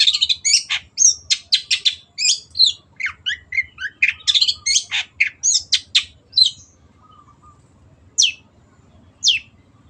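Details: {'caption': 'Long-tailed shrike (cendet) singing energetically: dense, chattering bursts of harsh high notes and buzzy trills for about six seconds. Two isolated sharp chirps follow after a quiet gap, with a low background hum.'}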